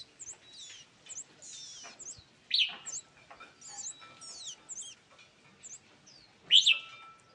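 Scarlet-backed flowerpecker giving rapid, thin, very high chirps and ticks, with two louder, sharper downslurred notes standing out; no other sounds intrude.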